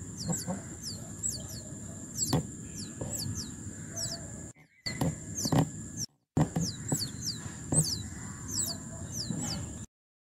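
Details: Oriental magpie robin pair nesting in a balcony nest box, raising chicks to first flight; thin high downslurred chirps repeated roughly every half second, over a steady high hum and low background rumble, with two brief dropouts.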